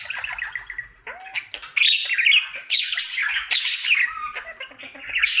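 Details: Male budgerigar kept indoors, singing his daily happy song: rambling chatter of buzzy notes, clicks and brief whistles, including a low rising whistle, irregular bursts with louder passages in the second half.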